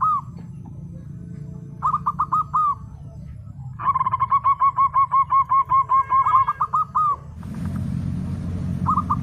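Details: Local zebra dove singing actively: bursts of quick, rolling cooing notes at a steady pitch, first a short series, then a longer run of about fifteen evenly spaced coos, ending with another brief burst, over a constant low rumbling background noise.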